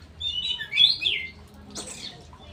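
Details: Straw-headed bulbul giving one bubbling, warbled phrase that rises and falls, followed by a short harsh, noisy burst, with low background hum.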